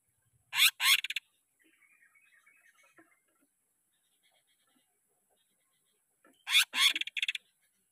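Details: Greater green leafbird song used as a training lure for caged birds: a short burst of harsh, rasping notes, a long near-silent gap with faint chatter, then another harsh burst ending in quick clipped notes.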